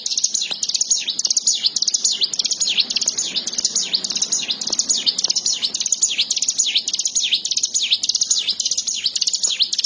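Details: Bar-winged prinia (ciwah) singing energetically, gacor style: a sustained, dense run of shrill chirps and falling-rising notes at a steady fast pace, with a low hum and scattered clicks underneath.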